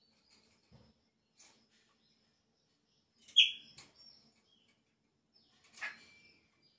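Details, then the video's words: A chopi blackbird at the start of the season, when its song changes, gives two short, bright notes a few seconds apart: a sharp falling whistle, then a slurred note ending in a thin held tone, quiet in between. "PÁSSARO PRETO INÍCIO DA TEMPORADA ELES MUDA O CANTO"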